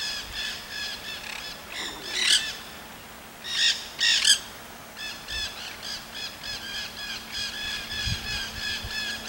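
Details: Wild Nanday parakeets in Solstice Canyon, Malibu, California, on 9 March 2017, give harsh, grating screeches in bursts with a steady run of rasping chatter between them and a faint low hum behind.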